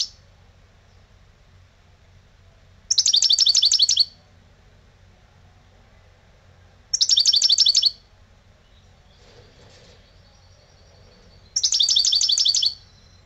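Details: European goldfinch, an old kept bird, delivering lebrijano song: three brief bursts of fast, bright repeated notes about four seconds apart, with near silence and faint twitters between them.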